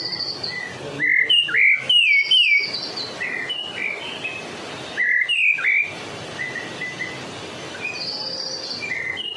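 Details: White-rumped shama from Medan singing, used to lure other shamas: clear whistled notes and slurred phrases, some rising and falling, over steady background hiss.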